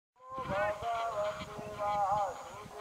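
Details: Greylag goose (Anser anser), call.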